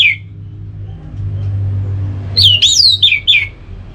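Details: Orange-headed thrush in ngeplong song to provoke a reply from another bird: one falling whistle, a long gap over steady low hum, then a rich run of looping, downward-sweeping whistles.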